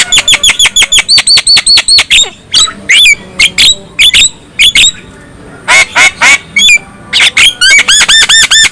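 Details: Loud black-winged myna song meant to stir other mynas to sing: runs of rapid, evenly spaced sharp whistled clicks, then scattered harsh squawks and twisting notes, ending in a fast repeated whistled series.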